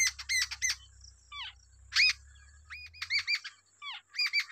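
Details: Wild babbler feeding two chicks at the nest; the young give rapid bursts of harsh, rising chirps in clusters, with sharp descending notes between bursts and a faint steady high hiss behind.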